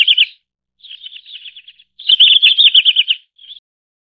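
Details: Red-flanked bluetail giving quick high chattering trills: a short burst, a softer rattling run, then a loud, fast stuttering phrase of about a second, ending with a brief faint note; no other sounds.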